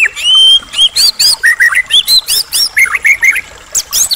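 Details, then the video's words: White-rumped shama singing as a lure to make other shamas sing; a clear high whistle opens, then quick rising and falling whistled notes repeated about twice a second, some harsh and squawky. "murai batu gacor AMPUH buat PANCINGAN murai agar cepat bunyi JADIKAN murai batu gacor EMOSI NYAUT"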